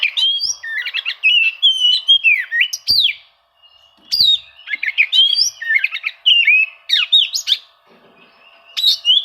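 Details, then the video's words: Oriental magpie-robin song used as a lure to provoke quiet birds into singing, seeking rivals; varied whistled and chattering phrases with rising and falling notes, mostly high-pitched, in bursts separated by short pauses. "suara kacer mencari musuh, cocok untuk memancing kacer susah bunyi"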